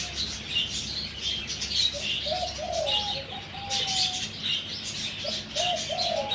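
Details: Zebra dove aged four months, recorded near Sanam Luang 2 on 2 November 2025: clipped, stuttering coos followed by a drawn-out low note and more short coos, with busy high chirping throughout.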